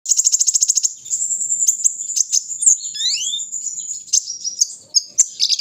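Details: Kolibri ninja sunbird during a morning airing session: a rapid, evenly pulsed high trill opens, then a sustained thin high whistle with quick sliding notes and sharp chips, ending in scratchy twitters.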